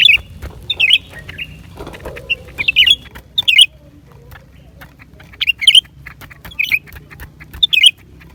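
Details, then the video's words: Song of a lesser green leafbird, January 2023: crisp, high whistled flourishes given in short bursts every second or so, some phrases doubled, with faint clicks and a quiet low background rumble. "เสียงนกเขียวกลาง ปีกสีฟ้า suara cucak ranting"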